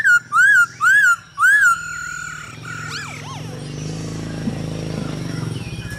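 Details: Male Hwamei, stimulated by a female's calls to sing, for training birds: three loud arched whistles, a soft warble, and a pair of downswept notes over a steady low humming background.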